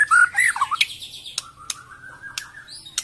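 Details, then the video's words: Harsh, rapid white-rumped shama song: a loud burst of twisting whistled notes, then a thin, steady tone broken by sharp clicks. "KICAU MURAI BATU - TEMBAKAN KASAR"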